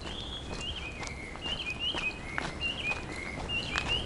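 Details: Chinese hwamei (Garrulax canorus) singing on Mount Takao, Japan: loud, clear whistled phrases, short slurred notes falling and rising about twice a second. The song seems to copy the cheer tune "Neraiuchi" ("urara, urara"), possibly learned from a radio, or it may be an escaped hill myna. Crunching footsteps are heard.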